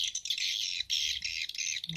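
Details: Edible-nest swiftlet calls used as a nest-house lure, made on a phone from the Bulan Madu and Black Phoenix sounds: loud, dense, high rattling chatter in long bursts with short gaps between them.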